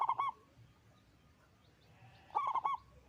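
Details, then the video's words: Loud local zebra dove in full song: a rolled, stuttering coo at the start and another several-note pulsed coo near the end, separated by a quiet pause. "Perkutut lokal gacor suara besar"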